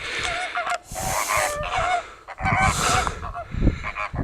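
Greater flamingos give a dense chorus of nasal, goose-like honks and gabbling calls, overlapping continuously with bursts of louder honking.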